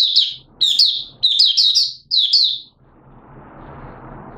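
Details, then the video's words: Buka sing from a Malaysian Oriental white-eye kept as a hobby bird, in minor moult, 2 April 2023: four rapid phrases of sweet, high chirping notes about every half second, then quiet hiss. "Malaysian Mata Puteh Buka Sing"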